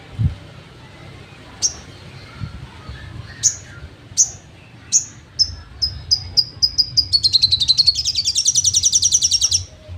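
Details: Sogon trotol song for songbird training: single sharp high notes spaced about a second apart, accelerating steadily until they run together into a fast, continuous high trill.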